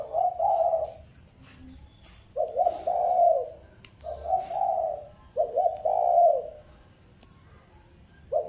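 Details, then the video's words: Spotted dove decoy call: four well-spaced phrases of low husky cooing, each a quick stutter leading into a longer falling coo, with faint clicks in the pauses. "Tiếng chim cu gáy mồi mp3 kích bổi"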